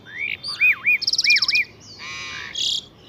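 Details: Morning song of a pied myna at Saifai, Uttar Pradesh, taken with a mobile phone: loud, varied phrases of looping whistles, a rapid rattling trill, then harsh buzzy and grating notes.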